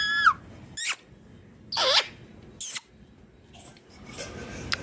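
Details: Indian ringneck parrot giving four loud, harsh, screechy calls, each a short burst under half a second, spaced roughly one second apart, with quieter rasping notes toward the end and a faint hiss behind.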